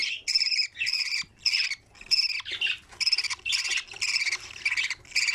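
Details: Budgerigar chicks in an opened nest, being fed and feeding one another: harsh, raspy chirping bursts repeated about twice a second, separated by brief gaps.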